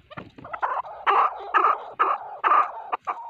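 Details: Male chukar partridge calling, a call used for hunting: harsh, drawn-out chuckling notes repeated in a rough, uneven rhythm, with some lower rasping sounds between them.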